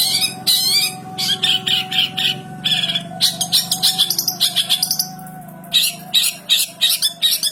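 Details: A long-tailed shrike (cendet) sings a song filled with house sparrow mimicry: harsh, rapid sparrow-like chirps in bursts of two to five notes, over a faint steady background hum.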